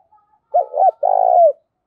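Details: Spotted dove uttering one 'gáy thúc' coo, a lure call for trapping: two rounded hoots, a brief pause, then a sustained throbbing coo that slides down at its end.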